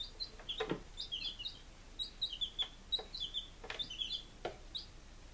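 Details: Day-five chicks in Lunenburg, Massachusetts, 23 July 2017: busy, high-pitched peeping in rapid doubled notes from several chicks, with intermittent sharp pecking clicks.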